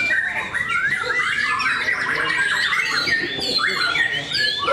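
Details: Competition singing by white-rumped shamas at a contest in Bharata, Cikeas, with rapid overlapping whistled phrases, chattering notes and rough squawks filling the air, while faint voices murmur in the background.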